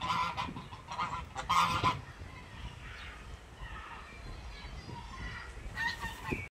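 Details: Geese giving a few loud honks near the start, then quieter, more distant honking over steady low rumbling background noise.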